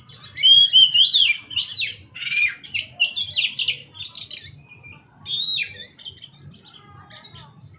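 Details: Singing hard while dancing, an Oriental magpie-robin gives loud, varied whistled phrases, some slurred and rising, with harsh squawky notes in rapid bursts separated by short pauses, then quieter chatter toward the end.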